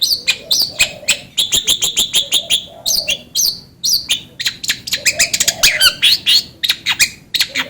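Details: Long-tailed shrike song serving as a lure to spur another bird into song: fast stuttering series of high, sharp notes in bursts, rich varied phrases, with a faint low hum-like tone in the background.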